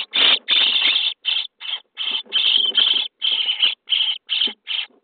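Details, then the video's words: Nest-box starling chicks, day 23, begging during feeding. They give loud hoarse rasps, some long and some clipped, following each other almost without pause in a busy, churning chorus. "Szpaki w budce dzień 23 - karmienie piskląt"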